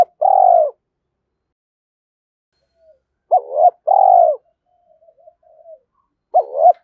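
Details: Repeated coos of a spotted dove used to excite a decoy, "thổ" voice style: long mellow coos and paired hooked notes, with faint soft murmurs between phrases and no other sounds.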